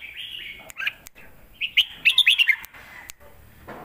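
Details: Red-whiskered bulbul kept in a cage, performing a 'lak wai' style master song used to tutor young birds; lively warbling phrases with quick rising and falling chirps, separated by sharp clicks.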